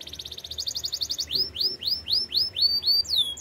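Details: Canary song meant for training canaries: a fast rattling trill of high notes, then a run of curved whistled notes that sweep up and fall, about four per second.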